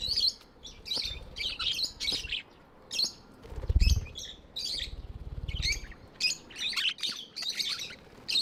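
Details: Tamed budgerigars chirping in sharp, scratchy bursts, mixed with low fluttering rumbles like wingbeats.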